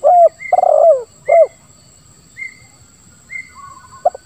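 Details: Spotted dove song of the 'lambung kuk 1, suara ngeruk' type, used to prompt other doves to call: a mellow coo, a rough rolling coo and a falling coo, followed by thin high whistles repeated about once a second and faint coos.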